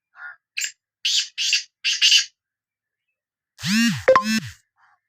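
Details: Sindhi black francolin giving scratchy, buzzy notes in a short series, followed by a louder, low, tonal sound with a sharp whistle near the end.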